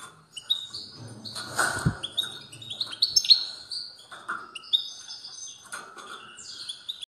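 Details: European goldfinch giving a strong song: a rapid, varied twittering of short sweeping, tinkling and buzzy notes in quick bursts, with a brief low thump early on and a faint steady hum underneath.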